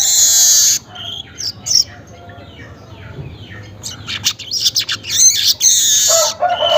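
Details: Morning song of a weaver at roughly 5:40 am: an opening buzzy hiss, quieter scratchy notes, then a burst of dense, rapid, crackling buzzes.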